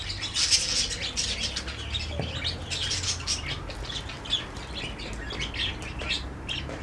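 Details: Parakeets in a garden birdhouse: a busy stream of short, high chirps and squawks from several birds, with soft wing flapping and low background rumble.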